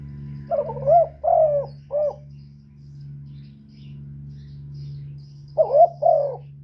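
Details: Spotted dove giving a lure call meant to stimulate other doves: three mellow, hollow coos in quick succession, a long pause, then two more coos, all over a steady low electrical hum.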